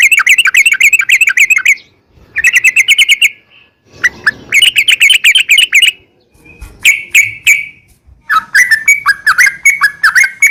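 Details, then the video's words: Yellow-vented bulbul delivering long rolling song as a lure for other bulbuls: fast trilled series of bright, buzzy-edged notes in separate bursts, separated by short quiet gaps, ending in looser chirps. "trucukan gacor ROPEL PANJANG buat pancingan trucukan agar bunyi"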